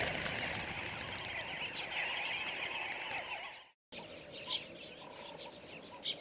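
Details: Namaqua sandgrouse flock in dune country; continuous overlapping warbling calls, cut by a short break, then sparser sharp chirps and short tones.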